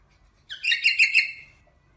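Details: Rosella making a single quick phrase of rapid, twittering high notes that lasts under a second.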